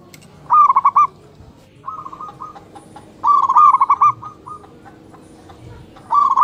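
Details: Local male and female zebra doves calling back and forth in the morning, giving a series of crisp, rapidly pulsed rolling coos. Loud phrases alternate with softer, more distant replies.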